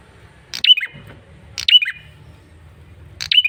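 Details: Three sharp, high chirping bursts from a male red-headed prinia used as a lure call, each ending in a quick twisting note, about 1.3 seconds apart over a low hum.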